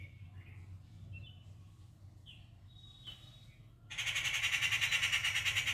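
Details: A treepie calling its partner at breakfast time in the morning gives a few soft, short whistled notes, then bursts into a loud, harsh, rapidly pulsing rattle. A low rumble runs underneath.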